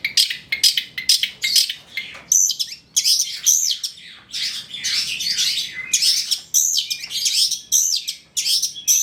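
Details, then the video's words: Long-tailed shrike of the trotol type, recorded as a lure to trigger singing: dense, harsh chattering bursts mixed with thin high notes, delivered in quick loud phrases with brief gaps. "PANCINGAN CENDET TROTOL AGAR BUNYI, MASTERAN CENDET GACOR FULL ISIAN"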